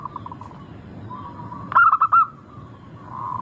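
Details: Local zebra dove, used as a lure to prompt other birds to sing: one loud phrase opens with a sharp note, then four quick ringing coos. Softer, drawn-out cooing sits before and after it over low background hum.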